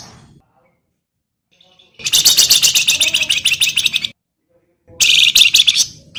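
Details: Javan grey-throated white-eye used to train other cage birds, singing a high, fast chattering trill of about two seconds, silence, then a shorter second burst.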